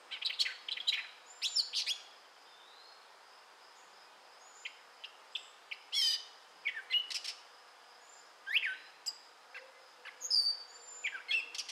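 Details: A gray catbird in southwest Michigan in May 2011 sings a rambling run of squeaky, chattering and whistled notes, each phrase different, broken by short pauses, over a faint steady high hum.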